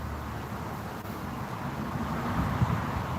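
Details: Broad wind-like rumble and low background noise, with no calls or voices standing out.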